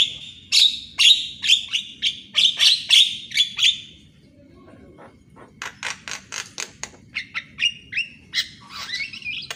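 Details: Morning Javan myna song meant to train birds that rarely sing: a series of loud rasping squeaky notes about twice a second, a short quiet gap, then rapid sharp clicks and chirps rising into a squeal.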